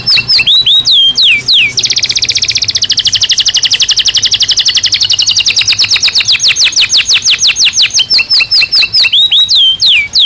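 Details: Natural song of a caged canary in the breeding season: short falling whistles, then a long rapid rattling trill lasting several seconds that slows into drawn-out downslurred whistles and ends on looping notes.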